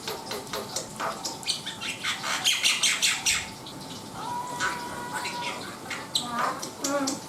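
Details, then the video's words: Black-winged myna song with mixed rasping chatters and short squeaky notes, rising and falling in loudness throughout, plus a faint whistled tone and a steady background hum. "SUARA ASLI BURUNG JALAK PUTIH NUSA GACOR DOR!"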